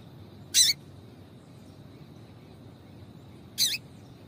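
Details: Call of a female Double-collared seedeater, used to get males singing: two brief, high, scratchy notes about three seconds apart, with quiet surroundings between them.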